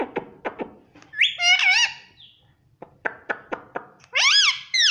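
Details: Pet Indian ringneck parakeet, described as a talking parrot that says mummy and papa; short clicking notes alternate with loud, wavering, harmonic squawks and drawn-out rising and falling voiced phrases.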